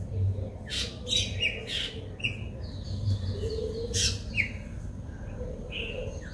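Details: White-bellied drongo in Sri Lanka, recorded with a Nikon COOLPIX P1000: scattered sharp chirps and short downslurred whistled notes, some buzzy and some clear, spaced irregularly over a steady low rumble.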